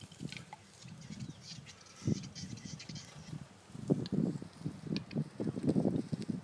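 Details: A western capercaillie cock, approaching the person filming, gives low, throaty grunts and croaks in uneven bursts that grow louder and quicker toward the end, with faint background hiss.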